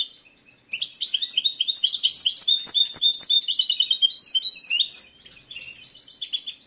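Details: Competition male European goldfinch in breeding condition, caged, delivering a sustained run of fast, tinkling twitters and short trills lasting about four seconds, then softer scattered notes.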